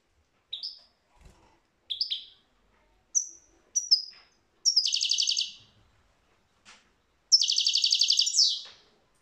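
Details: European goldfinch singing, 2022: short bright twittering notes at intervals, then two long buzzy, rattling trills, each about a second, high-pitched and metallic, in a quiet background.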